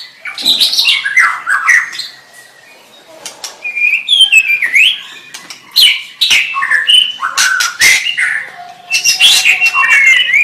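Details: White-rumped shama song: loud varied phrases of whistles, sweeping slurs and sharp chattering notes, delivered in bursts with a short quiet gap around the third second, bright and high-pitched throughout.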